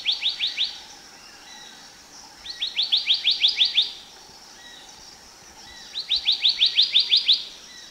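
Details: Black-naped monarch singing: three bursts of rapid, high, sharply rising whistled notes, four to seven per burst, separated by short pauses over a faint steady background hum.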